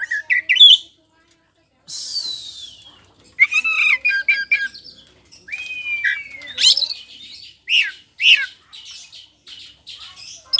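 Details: Full-voiced kacer poci, a magpie-robin, singing as a provoking lure. Varied song mixing squawky chatter, a long buzzy rasp, a drawn-out whistled slur and sharp chips, with short pauses between phrases.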